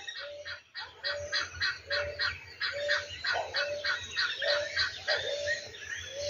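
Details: Helmeted guineafowl (angola) calling at sunrise on a small farm, harsh grating notes repeated about three times a second with a lower tonal note recurring beneath, over soft background music.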